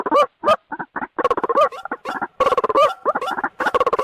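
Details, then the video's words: Lure call of the white-breasted waterhen for bird trapping: stuttering, throaty pulses mixed with hooked, rising croaks, delivered in uneven clusters. "PIKAT RUAK RUAK paling LENGKET | Suara Pikat Burung"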